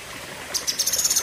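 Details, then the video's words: Cucak kinoi singing. Its chirps are described as fierce and long-lasting. After a quiet start, a fast series of very high, sharp notes repeats rapidly over a faint trickling background. "Tembakan Ngeri Cucak Kinoi (Pedes Panjang)"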